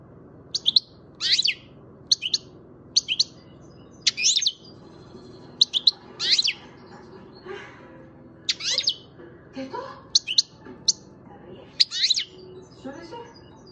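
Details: Seven-month-old European goldfinch from Macedonia delivering a series of crisp, high twittering notes and short tinkling phrases, spaced roughly every second, with a soft low room hum beneath.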